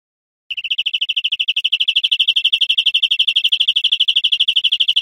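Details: European greenfinch, from an educational wild-birdsong recording, delivering one sustained high trill of quick, evenly spaced notes that starts softly and runs for about four and a half seconds without a break.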